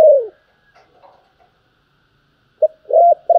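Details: Spotted dove in the calling and urging coo styles: the tail of one falling coo, a quiet gap with faint murmurs, then a new phrase of short and longer coos.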